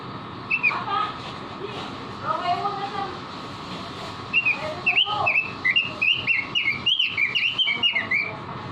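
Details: Caged-bird training song (masteran) of a robin in full voice: scattered soft whistles early on, then from about four seconds a quickening string of sharp, clear whistled chirps, rising and falling, over a constant hum.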